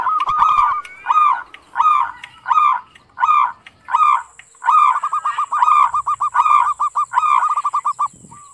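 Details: Zebra dove in ngerot style delivers loud, full coo notes at a regular pace, then speeds into a rapid chattering run of clipped coos before falling silent.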